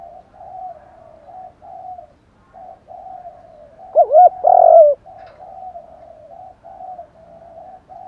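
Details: Male and female spotted doves cooing, a lure to stir wild birds: a steady run of soft, low, even coos, broken midway by one loud phrase of quick hooked notes and a drawn-out falling coo.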